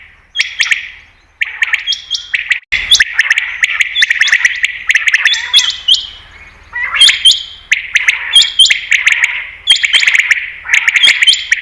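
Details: Common quail calling, used by hunters to attract quail. Scratchy buzzing phrases mixed with level whistled notes and sharp ticks, repeated continuously with short gaps.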